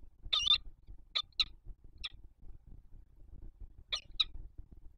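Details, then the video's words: Harsh, piercing notes from a male peregrine falcon on a Warsaw skyscraper spire, calling the female early on a February 2021 morning; a doubled call, then single and paired calls spaced by pauses, with low background hum. "Franek calls Giga from the spire again"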